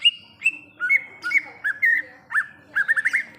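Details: Greater green leafbird in the wild forest, giving clear whistled song: sliding, slurred notes at varying pitch, ending in a quick series of four or five rising and falling chirps, on a quiet background.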